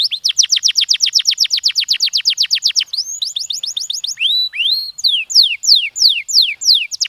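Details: Stimulating canary song: a steady, rapid series of loud downward-sweeping notes, then quicker rising phrases and two swelling whistles. It closes with slower, evenly spaced, clear falling whistles.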